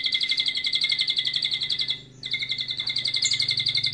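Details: White-rumped shama singing with lovebird and canary imitations in a long cililin style; a fast, steady, high-pitched rattling trill, about four notes a second, broken by a brief pause.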